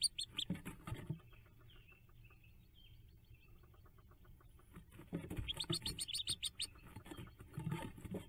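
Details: A brood of hooded merganser ducklings jumping from the nest, 5 May 2024: brief high peeps, a quieter stretch with soft faint notes, then a renewed burst of rapid shrill piping over low rumble.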